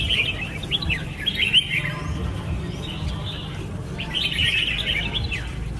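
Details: Red-whiskered bulbul song in two lively bursts of quick chirped and whistled notes, the first flurry at the start, a pause, then a second busy flurry, over a soft low background hum.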